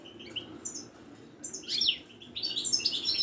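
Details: Wiidani European goldfinch from Morocco, kept caged at a Casablanca market, gives scattered high chirps that break into bursts of excited, jangling twitters with rising and falling bright notes.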